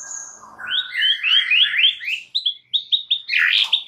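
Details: White-rumped shama song played to provoke other shamas into singing, a rising run of rich warbled notes followed by short repeated whistles and a harsh burst.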